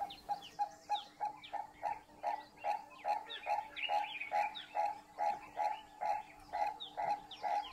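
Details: A Southern African purple-crested turaco gives a long, steady series of hoarse, mid-pitched notes, a little over two per second, over high chirps from other small birds.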